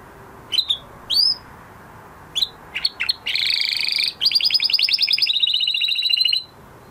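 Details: Male canary after its moult: scattered single chirps, then a dense buzzy trill and a rapid pulsed roll fading out.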